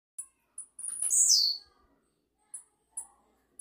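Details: Blue-black grassquit, possibly of the campainha song style, singing a lot: a few sharp, very high ticks lead into one loud buzzy phrase that slides downward for about half a second, followed by more isolated ticks.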